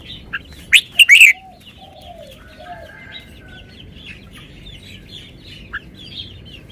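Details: Red-whiskered bulbul showing off its song style: one loud, quick burst of sharp whistled notes near one second, followed by soft, faint warbling in the background.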